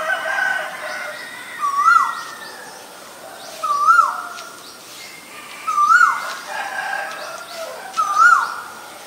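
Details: Asian koel pair, male and female, repeating a clear rising whistled note roughly every two seconds, four times, each note climbing then falling off abruptly, with faint background birds.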